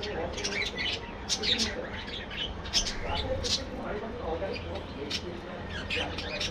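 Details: Budgerigars calling together in a colony aviary: a dense, continuous chatter of short, high chirps and squeaky warbles from many birds overlapping, with louder peaks every second or so over a low steady hum.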